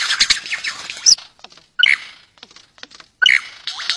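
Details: Superb lyrebird courting its mate: loud, varied song of dense bright chattering notes, then sharp clipped phrases with sliding whistled elements, one motif repeated about every 1.4 seconds, separated by quiet ticking pauses.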